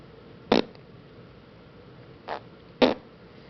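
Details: A female pet sun conure makes three brief, sharp, smacking noises, mimicked kiss and fart sounds.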